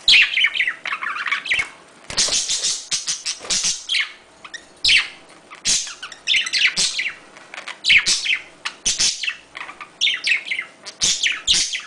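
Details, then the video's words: Budgerigars calling during mating chatter in rapid, bright warbling bursts of squeaks, clicks and chirps, almost without pause, high-pitched and scratchy. "Wellensittich paaren sich, Rufton"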